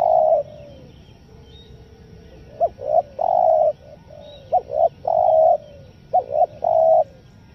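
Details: Spotted dove call used as a lure for wild doves, in a stuttering style: low hollow coos broken into short, clipped, doubled notes with gaps, over a steady background hiss.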